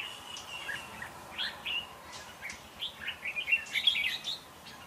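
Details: Red-whiskered bulbul fighting song serving as a trapping decoy: scattered short whistled notes that build into a quicker run of bright, warbling slurs near the end, over a steady faint high hiss.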